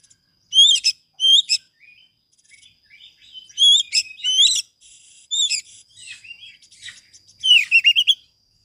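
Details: Oriental magpie-robin delivering its vigorous filler-rich song, offered as a master and lure for silent birds. Loud, ringing whistled bursts alternate with quieter scratchy warbles, closing with a fast run of sharp notes.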